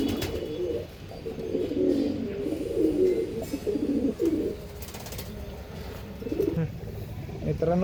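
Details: Andhra line pigeons cooing continuously in low, rough, overlapping gurgles with short pauses, alongside shuffling noises and a brief higher rattle near the end.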